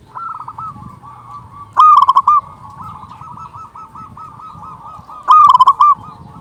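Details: Loud-voiced local zebra dove, its call used as a lure to stir other doves: two strong, clipped cooing bursts about three seconds apart, with a steady run of fainter rolling coos in between.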